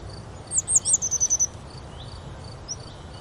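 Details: Grey wagtail at Oukaimeden near Marrakech, Morocco, giving a quick burst of about seven very high, sharp notes, the first few slurred and the rest clipped, within one second. Faint high chirps of other birds and a low rumble continue behind.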